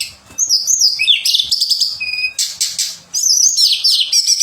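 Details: Pied fantail singing a sweet song for songbird contest training, with bright whistled phrases that slide up and down, broken by short gaps and rapid chirps.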